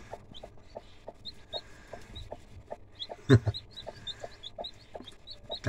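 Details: Clucking broody hen accompanied by freshly hatched chicks: a long run of soft, evenly spaced low clucks, overlaid by many high thin peeping chick calls and one brief loud low thump midway.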